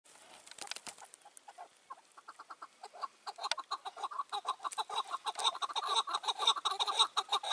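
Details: Chukar partridges in May 2024 during roof-trap hunting with a caged decoy partridge, wild birds nearby: quiet scattered notes build into a dense run of harsh, rapid chuk notes, rising in loudness toward the end.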